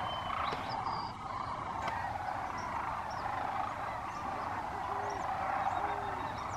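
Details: At sunset in California, sandhill cranes return with ducks to a refuge for the night. Many cranes give rattling, trumpeting calls in a steady chorus. Brief high whistles and a few lower bending notes come through. Recorded on an iPhone.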